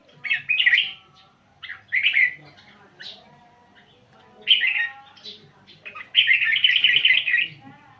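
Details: Red-whiskered bulbul of Vietnamese origin kept as a cage bird, singing rapidly: short bursts of warbled, chattering phrases spaced about a second apart, ending in a longer continuous run of quick bright notes.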